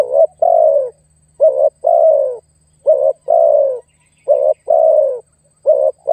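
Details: Spotted dove calling to lure and pressure a rival, as used in trapping wild doves: paired low coos, a short note followed by a longer falling one, repeated roughly every one and a half seconds with faint background hum.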